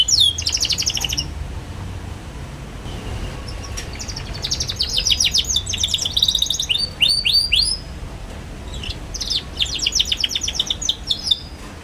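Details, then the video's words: Chattering song of a young canary, played to teach other young canaries. Short bursts of fast, high, rattling trills and swooping notes are separated by brief quiet gaps over soft background hiss. "KENARI PAUD NGERIWIK GACOR CUIT CUIT"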